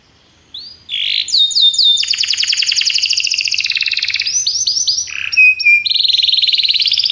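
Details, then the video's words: Training song of a Belgian canary: fast buzzy trills and rolling tours high in pitch, long sustained trill near the middle, shifting into clipped repeated notes and a lower rattling phrase, in a quiet setting. "treinamento para canário belga"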